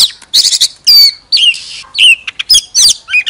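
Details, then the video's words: Oriental magpie-robin decoy bird singing with tail spread: loud, harsh buzzy bursts alternate with clear falling whistles and short chirps, in phrases roughly every second. "Chòe than hót xòe II chòe than mồi CỰC HAY"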